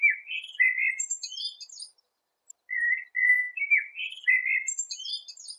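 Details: Eurasian penduline tit: short buzzy and whistled phrases around mid-high pitch, a cluster of quick notes climbing into thin high squeaks, a pause, then the sequence repeats; clean background with no other sounds.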